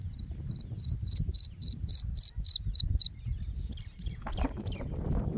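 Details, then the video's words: Black francolin (kala teetar) chick giving a quick run of short, high, piercing peeps at an even pace for about three seconds, then falling silent, with soft rustling and low background noise after. "Kala Teetar Chick Voice | کالا تیتر بچے کی اواز"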